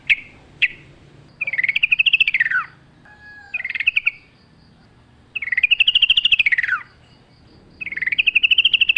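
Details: Yellow-vented bulbul singing strongly in the wild-forest style, nature sounds around: two sharp opening notes, then long arched rattling trills repeated several times, with short softer phrases between.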